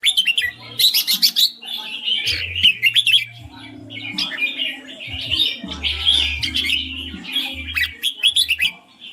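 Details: Red-whiskered bulbul, a caged bird, singing clear, sweet phrases of bright warbled and chirped notes in rapid bursts, with low steady background tones and clicks throughout.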